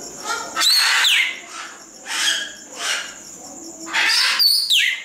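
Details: Captive superb starling at Děčín Zoo, Czech Republic, giving sharp whistled notes that slide steeply down, mixed with bursts of harsh, scratchy chatter, in several phrases over five seconds.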